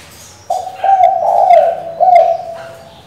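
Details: Female spotted dove calling the male to prompt a decoy bird: a run of three low, throaty coo notes over about two seconds, the middle one longest, with faint high chirps behind.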